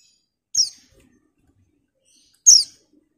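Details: Two high, thin, down-slurred chirps about two seconds apart from an excited female white-eye calling a male, the second louder, with quiet between them.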